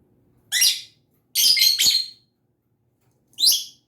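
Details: Pet lovebird giving harsh, buzzy high chirps in three bursts: a short one, a longer double burst, then a final rising squeak, with quiet pauses between and no other sounds.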